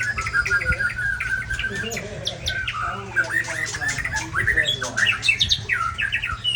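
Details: White-rumped shama, a big-bodied bird from Ujong Pancu in Aceh, delivering dense, rapid song: clusters of sharp whistles and chips, quick slurred notes and scratchy bursts packed almost without pause, with a low background hum.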